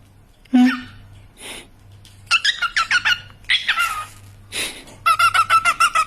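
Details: Pet cockatiels making a mix of sounds: a low squawk, rapid raspy chirps in quick bursts, then a fast series of short repeated whistled notes.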